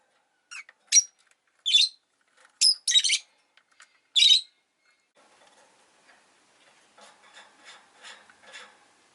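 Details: Rosy-faced lovebird kept as a pet uttering a burst of sharp, scratchy chirps over about four seconds, followed by softer, fainter chatter and faint background noise.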